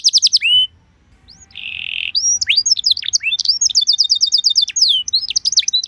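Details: Canary song played as a lure so canaries respond: a fast trill, a brief pause, a steady buzzing note, then a tumbling mix of chips, slurs and a rapid whistled roll.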